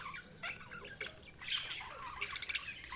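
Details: Budgies chirping: a continuous, fairly quiet stream of overlapping short chirps, squeaks and warbled notes, with a brighter cluster of sharp, high squeaks around two and a half seconds in.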